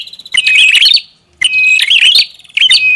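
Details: Prinia lure call, described as noisy: loud bursts of scratchy chattering notes mixed with clear whistles, two phrases with a silent gap about a second long between them.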